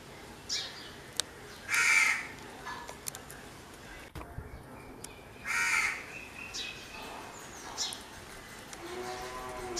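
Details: Crow calling with hoarse, grating caws, two loud ones near two and six seconds, fainter cawing between, scattered clicks and taps, and a brief tonal call near the end.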